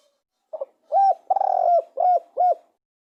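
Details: Spotted dove calling with a brief faint double coo followed by four deeper, hollow coos about half a second apart, the second drawn out and slightly buzzy, with no other sounds.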